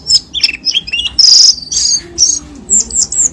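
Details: Cucak keling lure sound, played to prompt caged birds to sing: sharp high chirps and short whistled notes in quick, irregular bursts, with a loud buzzy squeal near the middle.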